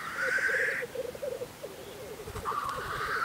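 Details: Lekking black grouse in Russia in spring: a long hoarse hiss opens, bubbling rookooing continues beneath, and a second drawn-out hiss follows after a brief pause.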